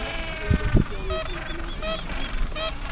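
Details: Gentoo penguins giving short nasal harmonic calls, several overlapping bursts in quick succession after two low thumps, over a steady low rumble of wind or surf.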